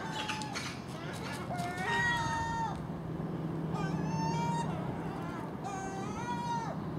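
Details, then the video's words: ['At dawn, common gulls forage on garbage put out at a house, with a magpie and a crow nearby; long, level, mewing calls recur about every two seconds over low traffic-like rumble.'] "Common Gull Magpie and Crow making noise at early morning"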